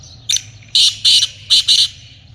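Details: Black francolin (kaale teetar) calling, linked to black francolin hunting: a harsh, raspy series of five short grating notes, one brief opener followed by longer bursts in close pairs over about two seconds, over a faint low hum.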